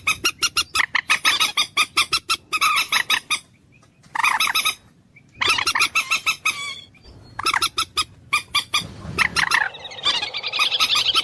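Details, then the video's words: Common moorhen (dungkhor or jol murgi) uttering long runs of rapid, grating clucks in several bursts with brief silences between, ending in a rougher, noisier squawk. "ডুংকোর পাখির অরিজিনাল ডাক / ডুংখোর পাখির ডাক / জল মুরগী পাখির ডাক / Common Moorhen bird call"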